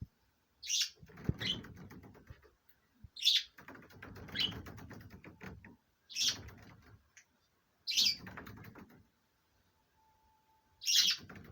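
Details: A pair of pet budgerigars let out of the cage, calling during courtship: bursts of sharp, high chirps every two to three seconds over low, scratchy, chattering warble.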